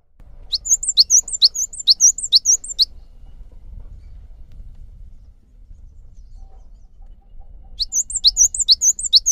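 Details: Cinereous tit song from a lure recording for coaxing caged birds to sing: a burst of rapid high whistled two-note phrases, about five seconds of low background rumble, then the same bright repeated phrases resume.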